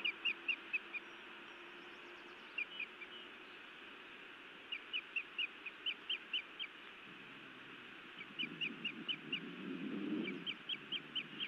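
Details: Osprey at a Montana nest, the female scolding and then biting her mate on a May evening: sharp whistled chirps in repeated rapid runs of four to six notes, with a low rumbling noise near the end.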